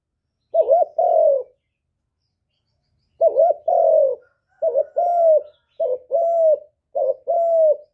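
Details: Spotted dove coo used to stimulate other doves to coo back: five phrases of a clipped lead note and a sustained, gently dropping hoot, coming faster toward the end, with no background noise.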